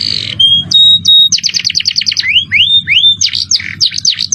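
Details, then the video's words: Canary singing a masteran tutor song in the cengkok mewah style with high, shrill jerih notes: a long whistle, then rapid buzzy trills and upward-sweeping whistled slurs, over a low steady hum. "Masteran kenary cengkok mewah suara jerih"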